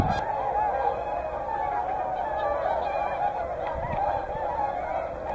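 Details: Whooper swans mixed with tundra swans at Hyoko, Niigata, with a dense, continuous chorus of overlapping nasal honks and bugling calls from many birds at once. The calls waver and rise and fall with no pause.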